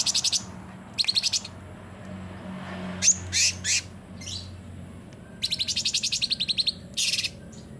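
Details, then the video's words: Sooty-headed bulbul in full rapid-fire song, used as a training recording to prompt silent bulbuls to sing: high, buzzy chattering bursts, some as fast ticking trills, separated by short pauses over a low background hum. "CUNGKOK GACOR FULL TEMBAKAN"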